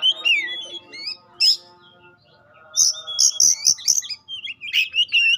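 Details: Lure song of a pastol-type Oriental magpie-robin, played to test other magpie-robins: sweet slurred whistles, a pause, then a quick series of about five loud sharp notes followed by rising and falling whistles.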